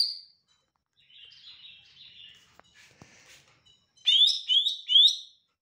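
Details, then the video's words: Lesser green leafbird (cucak ijo mini) singing sweetly: a brief high note, then a soft, scratchy warble with two faint clicks, ending in three loud, sharp, rising-and-falling chirps in quick succession. "Cucak ijo mini gacor suara merdu"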